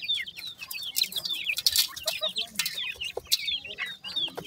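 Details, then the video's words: Grey francolin chicks just hatched, uttering high, bent, squeaky peeps in quick succession from several birds, with short clicking taps between calls. "bhura teetar k new chicks"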